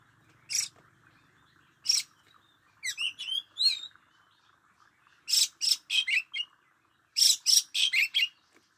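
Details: Oriental magpie-robin kept as a decoy bird, singing: loud harsh rasping bursts mixed with short, sharply bending whistled notes, delivered in quick clusters of three to five phrases separated by brief pauses, over a faint low hum at the start.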